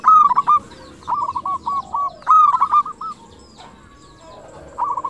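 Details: Local zebra dove with a 'crystal' voice singing busily, a lure to prompt other zebra doves to reply. Opens with a loud stuttered coo phrase, softer rolling coos follow, then a second loud phrase after about two seconds.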